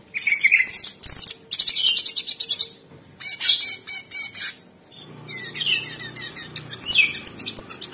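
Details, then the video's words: Orange-bellied Leafbird in a cage delivering 'tembakan' burst song for training other birds: dense high chattering trills in long bursts, later softer varied whistles above a low background hum. "TEMBAKAN ISTIMEWA CUCAK CUNGKOK SUPER GACOR !!! Masteran Terbaik"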